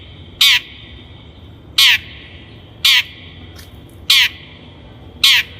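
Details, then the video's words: Long-tailed shrike lure recording for training birds: five loud, scratchy, harsh notes delivered slowly at intervals of about a second or more, with a faint soft note between. "THE LONG - TAILED SHRIKE SOUND"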